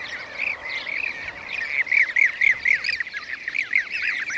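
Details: Several blue-cheeked bee-eaters calling in Şanlıurfa, Turkey, 2016; quick, arched, rolling notes repeated about three or four times a second, rising in strength midway, then continuing in an uneven chorus.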